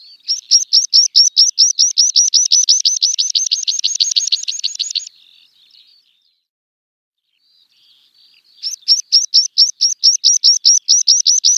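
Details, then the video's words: Meadow pipit song from open grassland: a rapid run of high thin repeated notes, growing faster and blurring into a trill, then a short pause with faint notes before another loud repeated series begins. "Meadow Pipit - Songs"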